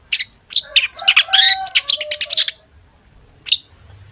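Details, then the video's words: Long-tailed shrike in full-isian song, used as a lure to get other shrikes singing: a dense burst of high chips, buzzy notes and low flat whistles for about two seconds, then a lone sharp note. "cendet gacor FULL ISIAN buat pancingan cendet agar bunyi"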